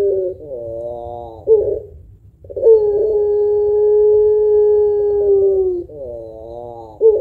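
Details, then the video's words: Captive puter pelung dove, a lively singer with a long voice and thick ending note, kept to stimulate other birds: warbling coos, then a sustained steady coo held about three seconds, ending in wavering notes. "Burung Puter Pelung Gacor Suara Panjang Kuwok Tebal Cocok Buat Pancingan"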